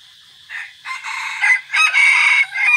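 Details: Red junglefowl decoy bird crowing on 3 April 2024 during a forest outing: a loud, harsh crow in several broken segments, strained and buzzy with high overtones, rising in strength over about two seconds.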